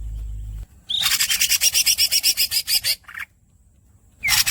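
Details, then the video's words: Green cucak, the greater green leafbird, in a masteran session giving a long rasping roll of about fourteen rapid buzzy pulses over two seconds. A short high burst follows, then a quiet gap and a fresh rasp at the end. "The real green cucak masteran bird squeaks and long rolls"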